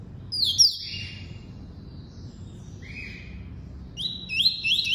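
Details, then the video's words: Caged double-collared seedeater giving its tuí-tuí song type: a sharp descending whistle, softer lower drawn-out notes, then a pair of rising high whistled phrases at the close. "COLEIRO FLASH ENCARTE (TUÍ-TUÍ)"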